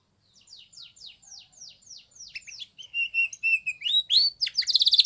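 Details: Spanish Timbrado canary training song: soft evenly spaced downslurred notes grow louder, shift into a level piping trill, then end in strong rising sweeps and a buzzy roll.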